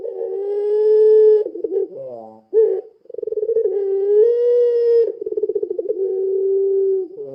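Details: Repeated lure coos from a puter pelung dove: long level low tones alternating with fast rolling pulses, with a short burst between phrases.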